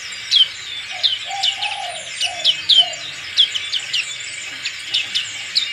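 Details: Black-capped white-eye singing with crest raised, a fighter-type bird: sharp, high, down-slurred chirps repeated about every half second, over soft low cooing sounds.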